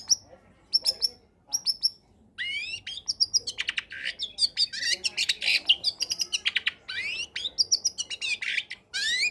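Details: A long-tailed shrike's combination song, used to prompt lazy shrikes to sing. It opens with a few high whistles, then pours into a long, dense torrent of mixed chatter, sweeps and harsh notes.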